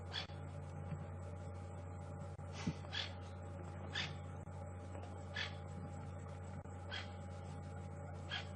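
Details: Upset francolins alarm calling at something hidden in long grass, probably a snake or slender mongoose, during a sunset safari drive on April 20, 2015: harsh, sharp bursts repeated roughly every one to one and a half seconds over a steady low vehicle engine hum.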